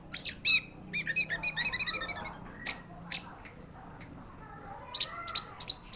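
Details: Orange-headed thrush with a fast run of bright chattering notes at the start, scattered sharp clicks through the middle, and a renewed burst of high chirps near the end.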